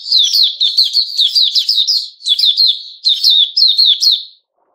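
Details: Caged sooty-headed bulbul recorded 10 July 2021, delivering loud rapid strings of sharp chirping notes in three bursts split by short breaks, then falling silent.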